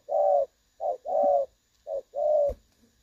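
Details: Spotted dove giving the clear 'đồng son' voice, a recording used to lure birds into traps. A short low coo is followed by a longer sustained coo, twice and a half over three seconds, ending with a soft click.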